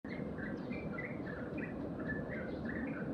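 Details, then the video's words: Sparrows eagerly having breakfast at a home in the morning, whistling to one another; short, bright chirps follow one another irregularly over a steady low background hum. "Sparrows have breakfast in the morning | Burung gereja sedang sarapan pagi"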